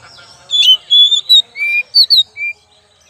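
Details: Oriental magpie-robin singing, used as a lure: loud clear whistled phrase of about eight notes, a slurred opening, long steady whistles, a low drawn note, quick high twin notes and a closing lower whistle, over silence.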